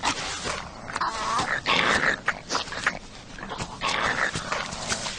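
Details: A North American wild turkey gives two loud, rapid gurgling gobbles about two seconds apart, with shorter rough clucks and some background noise.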